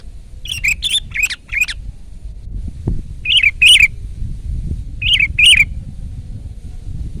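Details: A loud, active sooty-headed bulbul pours out quick strings of liquid warbled notes, first four rapid ones together, then pairs of phrases after pauses, with a single soft knock in between.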